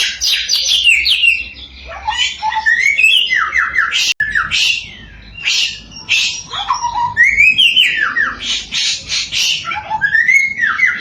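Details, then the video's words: Samyong singing nonstop as a lure for other samyong: harsh chattering bursts alternating with looping whistled slurs and falling notes, loud and varied, with brief quieter gaps. "Burung 1001 Suara SAMYONG GACOR, Bikin Samyong Lain Emosi & Ikut Gacor"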